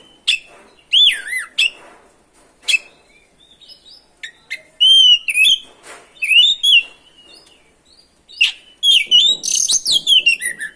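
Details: Oriental magpie-robin in energetic song meant to provoke other birds into singing: looping whistled phrases, sharp chips and slurred high notes, ending in a rapid chattering run of whistles.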